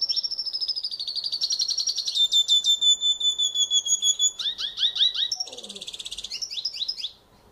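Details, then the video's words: Venezuelan goldfinch singing in the wild: a long, varied run of high twittering, sweet sustained whistles, rapid trills and short rising and falling phrases, ending abruptly. "PINTASSILGO DA VENEZUELA NA NATUREZA"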